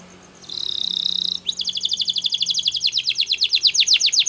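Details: Canary training song: a high buzzy sustained trill for about a second, then a fast run of repeated down-sweeping notes, roughly seven per second, growing louder toward the end.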